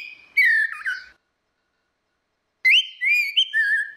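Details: Female and male orange-headed thrushes in ngeplong style, offered as a lure for a bird that stays silent. Two bright whistled phrases, sliding and warbling, are separated by a pause. No other sounds are heard.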